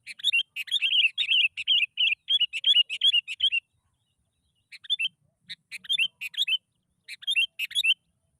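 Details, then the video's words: Sooty-headed bulbul (kutilang) song used as a lure to prompt quiet bulbuls to sing: fast bursts of bright, bubbling chirps for over three seconds, a pause, then shorter chirpy phrases repeated to the end. "PANCINGAN BURUNG KUTILANG. Males Bunyi Auto Langsung Bersuara.."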